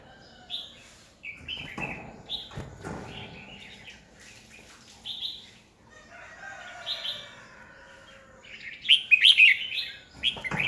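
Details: Competitive decoy song of a red-whiskered bulbul, used to train and excite other bulbuls into singing; scattered soft warbling phrases with pauses, ending in a louder, rapid burst of sharp chattering notes.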